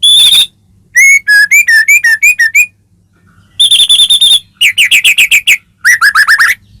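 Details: White-rumped shama, a caged bird, in varied song meant to provoke singing: a buzzy note, a run of wavering whistles, a long steady buzz, then rapid rising whistle series.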